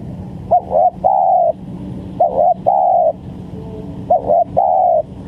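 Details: Lure recording of a spotted dove for trapping birds: three low phrases, each a brief doubled coo followed by a longer steady note, spaced about two seconds apart.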